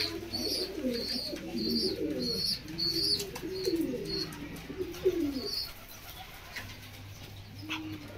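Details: Pigeons at a nest while parents feed their chick: soft, low, wavering coos in clusters, overlapping high thin peeps, with a low steady hum behind.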